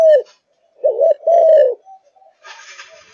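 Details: Caged Malaysian zebra dove in top form sings a short falling coo, then a rolling phrase and a long sustained note, ending with a burst of broadband rustling noise.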